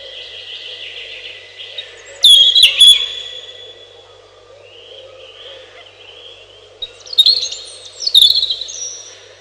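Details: Robin song in separate phrases: a loud rush of sharp notes, quieter high warbling, then two more bright bursts of rapid trilled notes separated by short gaps.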